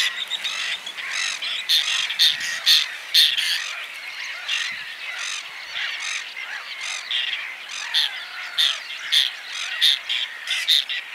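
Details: Whiskered terns in spring give harsh, rasping calls, about two a second and overlapping as several birds call together, with no other clear sounds.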